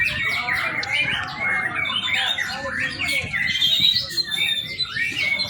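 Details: A young White-rumped shama sings a lively medley for use as a training lure: rapid rising and falling whistles and chirps, growing brighter toward the end, over a faint low background hum.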